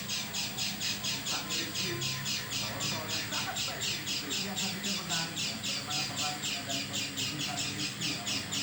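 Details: Strange, unusual calls of an oriental white-eye: fast, very regular harsh buzzy notes about four per second, sustained throughout, with some faint lower sounds and hum beneath.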